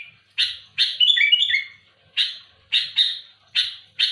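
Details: Active sooty-headed bulbul calling out rivals: gritty, buzzy chirps with one short rippling whistled phrase near the start, followed by a string of evenly spaced harsh chirps.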